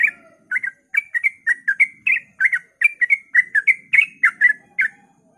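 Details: Dawn ropel song from a sooty-headed bulbul, used to draw other bulbuls into singing. Fluty, chattering notes are delivered in quick, closely spaced pairs, with faint low background murmur.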